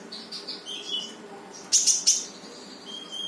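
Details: Brown-throated sunbird song to urge a silent bird to sing: a few soft high notes and a thin whistle, then two loud sharp chirp bursts, over a faint hum.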